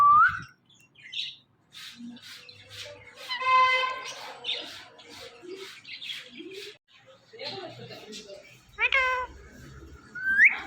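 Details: Ringneck parrot, a pet, chattering at a phone while watching itself: rough, voice-like syllables and a buzzy stacked note, then scattered chirps, closing with rising whistles.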